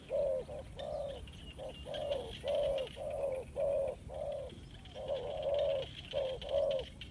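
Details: Spotted dove used as a trapping lure coos in a dense run of short and longer hooting notes, some nearly merging, with a brief pause midway and faint hiss behind.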